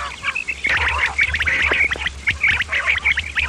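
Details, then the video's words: Common quail calling, male and female, in a sound meant to attract quail for hunting: dense, rapid, sharp repeated notes overlapping with rougher broadband bursts over a low constant hum. "Batair ki Awaz bima kirak / quail sound effect"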